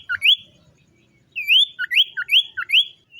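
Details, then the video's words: Morning song of a captive common iora: a rapid string of four or five upslurred whistles, each preceded by a short low note. "SIULAN TERMERDU BURUNG SIRTU DI PAGI HARI"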